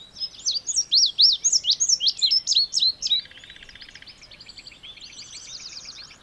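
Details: Indigo bunting opening with a bright burst of sweeping high notes for about three seconds, then fading into softer buzzy trills and a low rattling chatter from other birds.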